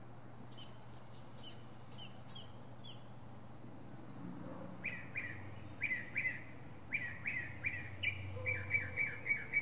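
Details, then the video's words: Wild northern mockingbird performing from a pine treetop, cycling through many different sounds: sharp high down-slurred notes repeated in bursts, then lower buzzy phrases repeated rapidly several times, over a steady low hum. "Northern Mockingbird goes thru his greatest hits!"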